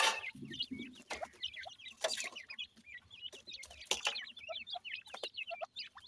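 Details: Dakhni teetar (Grey francolin) chicks at feeding time: a dense chatter of high, wavering peeps from several chicks, with low soft clucks near the start and frequent sharp tapping clicks.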